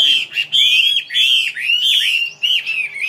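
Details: Loud, continuous song from a Vietnamese ornamental songbird called mi: bright whistled notes rising and falling in short wavy phrases with brief pauses, each phrase lasting about half a second.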